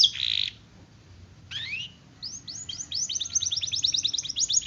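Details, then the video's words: Canary song from a master recording meant to prompt other canaries to sing; a short buzzy note, then rising slurred whistles building into a fast repeated series of upswept chirps. "Masteran Kenari Gacor, Pancingan Kenari Gacor Sulit Bunyi"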